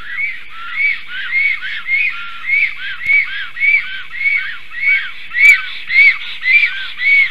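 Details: Black stork pair, male and female, defending their nest in a tree against an intruding stranger stork, 11:42 am, 12 July 2023; a steady series of wheezy, arched, whistled notes repeated nearly twice a second, even and unbroken.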